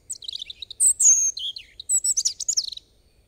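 A European robin sings a fast, high phrase of thin whistles and tinkling, jumbled trills rising and falling, with a quiet background.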